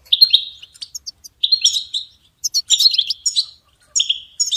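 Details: European goldfinch, used to train songbirds, sings choppy twittering phrases of quick chirps, short buzzy trills and very high squeaks, broken by brief pauses.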